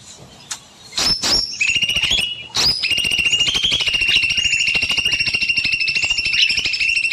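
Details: Evening aviary bulbul delivering long continuous song: a few sharp chirps, then a sustained high, rapidly pulsed trill that runs on steadily for about five seconds without a break.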